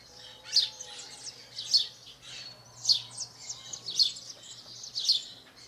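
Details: Wild house sparrow in Brazil giving a run of five loud chirps, each about a second apart and somewhat drawn out, with a quiet tonal whistle in the background early on.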